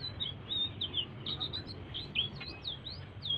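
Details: Soft song of a blue-throated bee-eater, meant to prompt other birds into singing: a quick run of thin, high slurred chirps and short whistled notes, some arching or dipping, delivered nonstop over faint low hum.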